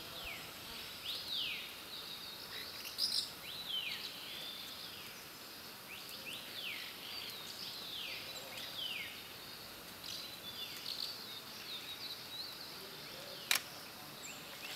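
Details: Asian house martins calling: repeated high, thin downward-sliding chirps and twitters come in loose bursts through the recording, over constant background hiss, with a sharp click near the end.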